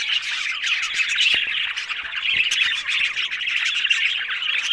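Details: Several pet budgerigars chattering together: a dense, continuous wash of warbling chirps and squeaky twitters with no pauses, and a few faint clicks.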